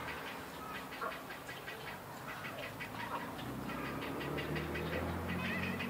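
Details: Grey heron chicks crowd a mixed colony with cormorants and night herons in a Koto, Tokyo park on 20 March 2022, giving a steady dry ticking chatter near three notes a second over a low background rumble.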